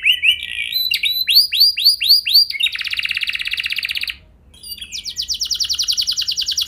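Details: Canary singing a lure song meant to set other canaries singing in long rolls: curved whistled notes repeated in series, then a dense buzzy roll, a brief pause, and a fast, rapidly pulsed trill.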